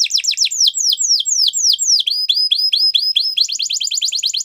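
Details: Gloster canary singing a sequence of slower down-sweeping whistled notes, shifting to a shorter repeated phrase and ending in a rapid high trill.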